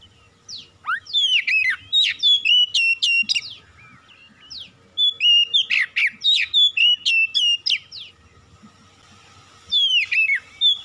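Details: Loud, rich whistled song of an Oriental magpie-robin, used to provoke silent caged birds to sing, in bursts of sliding whistles and rapid sharp notes separated by short pauses.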